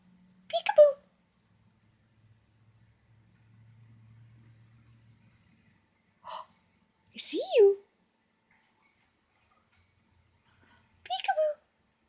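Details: A pet male monk (quaker) parakeet gives short, high, scratchy chattering bursts, with one sharply falling squawk, while his owner chats to him.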